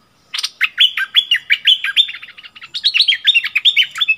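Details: Decoy bulbul in a cage singing to aggressive wild birds, 28 February 2021: two dense bursts of sharp clicks and falling whistled notes, repeated about every third of a second, clear over a quiet background.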